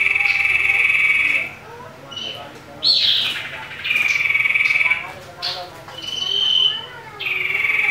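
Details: Common iora's aggressive provoking song: loud sustained buzzy trills broken by rising swept notes and short chips, repeated across the recording.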